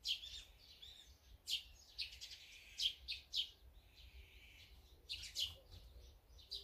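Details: Feeding birds, among them azure-winged magpies, sparrows, great tits and brown-eared bulbuls, keep up irregular sharp high chirps and short twittering clusters over several seconds, with faint low background noise.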